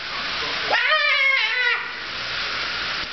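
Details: A female umbrella cockatoo, excited but happy on a kitchen floor, gives one raspy, nasal squawk lasting about a second, rising then sliding down, over a steady hiss like running water.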